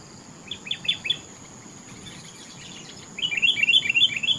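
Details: Sooty-headed bulbul delivering its melodious topcer song: a short cluster of chirps, a pause, then a fast, even string of bright, bubbly notes, with a constant high hum behind.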